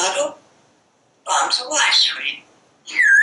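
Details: Talking parrot commenting from a screened back porch as it watches squirrels and birds. Bursts of speech-like babble are followed by a bending whistled note, in a quiet room-like setting.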